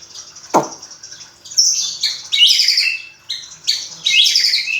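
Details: Magpie-robin kept in a cage after being reared from a young fledgling gives a sharp click, then bursts of loud high twittering phrases with down-slurred whistles, separated by brief pauses.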